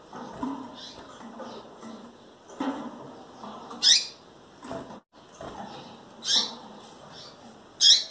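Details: Captive female double-collared seedeater close to breeding condition, calling often: three sharp rising chirps spaced a couple of seconds apart, amid soft rustling and knocking sounds from the cage.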